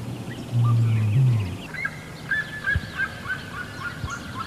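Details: Greater rhea giving a deep, low humming boom of about a second, steady then briefly lifting, against quieter background birds with faint whistled notes and a single knock.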